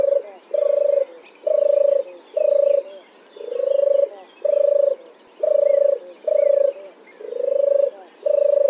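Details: European turtle dove singing from a dead oak branch in Oxfordshire, England, a low soft purring 'turrr' about ten times, roughly once a second, with faint small birds calling in the background.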